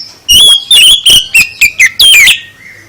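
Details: Oriental magpie-robin (kacer) singing to provoke other birds into replying: a loud, overdriven phrase of about seven short whistled bursts in two seconds, some steady, some sliding downward, ending in a longer warbled note.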